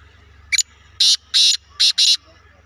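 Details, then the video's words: A black francolin gives a harsh, grating call: a short clipped opening note, then four loud rasping notes in quick succession, the last two nearly run together. "black Teetar ki boli"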